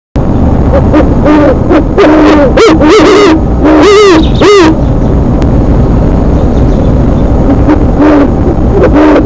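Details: Bird perched above its nest chatting with its mate at Ellis Bird Farm, 8:35 PM, April 4, 2017: bursts of short, tonal, wavering notes, some rising then falling, clustered mid-clip, then a few isolated notes.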